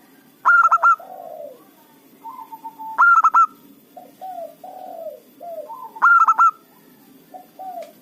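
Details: Loud local zebra dove calling to lure wild rivals into a trap: three evenly spaced bursts of rapid, clipped coos, about three seconds apart, with soft falling notes between.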